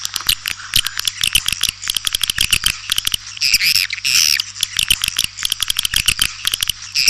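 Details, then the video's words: Swiftlet attraction call of the white-nest swiftlet: fast trains of crisp clicks interspersed with high twittering chirps and a longer buzzy rasping trill midway, with a constant low hum beneath. "Suara Panggil burung walet"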